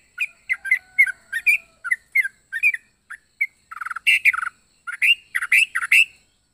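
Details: Yellow-vented bulbul with a strange, varied voice: a series of quick, sweet chirps, then louder harsh, squawky chattering bursts with stuttered notes toward the end.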